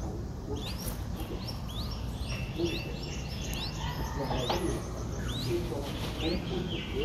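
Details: Three-day-old Streak-eared Bulbul chick in Ubon Ratchathani, Thailand, on 5 April 2023, giving thin, high upslurred peeps about every half-second over a steady low background rumble.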